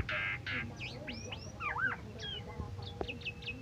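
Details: Asian pied starling, a 17 August contest winner, gives two harsh buzzy blasts followed by looping whistled slurs and short clipped chirps, with a faint low hum behind.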